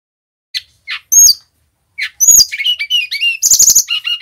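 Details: Male Brown-chested jungle flycatcher from Bali, in full repertoire song used as a tutor and lure for other birds: a few isolated high chirps, then a dense run of sharp whistled notes, clicks and buzzy trills that grows louder toward the end.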